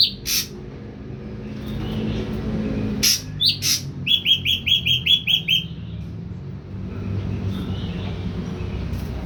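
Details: A young caged Ashy drongo, three weeks fully on pellet feed, finding its voice: a few scattered notes, then about eight short, evenly spaced, slightly falling whistled chirps in a quick string.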